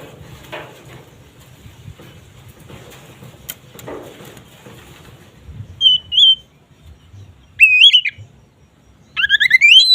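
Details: Oriental magpie-robin (kacer) ngeplong song, played to raise mating drive: a rustling, flapping-like noisy start, then three separated whistled phrases, a short level whistle, a sliding whistle and a final rising run of notes.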